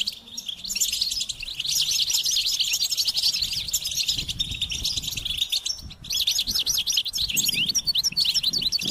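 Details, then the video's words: Rapid twittering goldfinch song of quick looping high notes and bright trills, broken by a brief pause near six seconds before resuming just as fast. "Experience the Goldfinch Singing"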